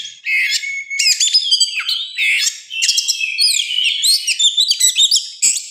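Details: Morning song of an agitated Oriental magpie-robin, worked up to fight, of wild forest stock: continuous fast medley of sharp whistles, quick trills, chattering notes and swooping slurred phrases, densely packed.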